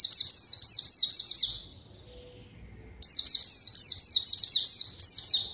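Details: White-eye in full song, used as a lure to call a rival so a young untrained bird answers and joins in: fast high, thin, down-slurred notes in a dense run of about 1.7 seconds, a quiet pause, then another run.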